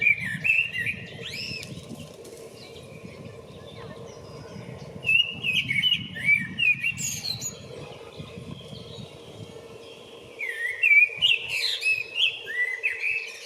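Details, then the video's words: A common blackbird calling for a mate on 28 February sings short, mellow fluted phrases with twittering ends in bursts separated by pauses, over a steady low rumble and some wing flutter. "Black bird calling for a mate - שחרור בקריאות לחפס בת זוג"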